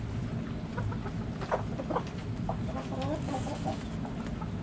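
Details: Backyard chickens give soft, scattered clucks in small clusters, some doubled, over a steady low rumble of background noise.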